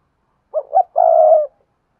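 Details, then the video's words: Spotted dove used as a decoy, singing to lure wild doves: a clean, low, hooting phrase of two short coos followed by one long, steady coo. No other sounds. "tiếng cu mồi thúc bổi và gáy gọi hay// Tiếng cu gáy mồi chuẩn kích bổi nhanh nổi"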